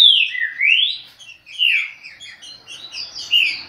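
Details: Green-winged saltator singing the Chucrinho song style at high speed: loud slurred whistles sweeping up and down, a rising glide near the start, then quicker warbled notes and a final bright whistle.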